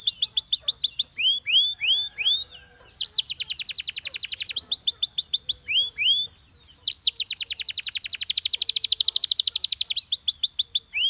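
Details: Continuous canary singing: curving upslurred whistles, fast clicking note trains, and a long smooth rolling trill that rises and fades, then more upward whistles.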